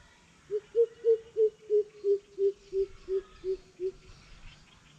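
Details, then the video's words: Greater coucal hooting: about eleven hollow, mellow notes delivered evenly roughly three per second, pitch sagging slightly toward the end, against a quiet background. "Siêu bìm bịp thách đấu"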